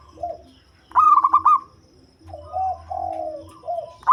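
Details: Deep-voiced local zebra dove used as a lure bird: a loud, rapid stuttering burst of cooing notes, then a series of softer, lower drawn-out coos that fall slightly in pitch.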